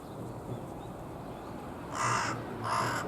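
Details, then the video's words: Wild carrion crow calling with chest puffed out, its voice hoarser than a jungle crow's: two short rasping caws near the end, after quiet background hum. "ハシボソガラスの鳴き声 少しシャガレた声です"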